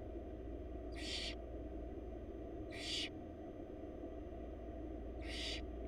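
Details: Wild barn owl chicks in a Florida nest box beg while their mother feeds them: three harsh, hissing screeches, each about a third of a second long, spaced roughly two seconds apart over a steady low hum.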